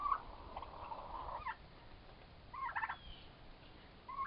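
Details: Gobbling from two four-month-old turkey toms during a fight: a long, rough rattling gobble opens, then a second choppy burst follows after a pause, with a brief note at the end.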